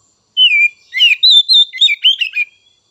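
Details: Oriental magpie-robin song used to stir untrained and young spotted birds into singing: a clear whistled opening note dropping in pitch, then a quick run of varied warbled and twittering phrases.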